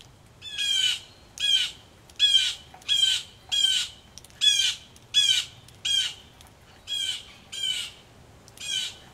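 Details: Agitated blue jays, several together, scold from near a Missouri farmhouse porch during rain: about a dozen coarse, buzzy shrieks in a steady series, roughly one every three-quarters of a second, with light rain noise.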